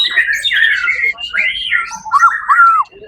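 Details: Competition white-rumped shama, first-place winner at a songbird contest on 1 October 2023, delivering a quick medley of bright whistles, slurred rising and falling notes and a clear downward-curving phrase near the end.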